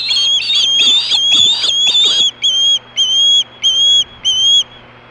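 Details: Osprey at Hellgate in 2014, about 3, screaming for fish at 4:19 PM: loud series of high, piercing whistled screams, each slightly arched, first overlapping rapidly, then spaced evenly about every half second.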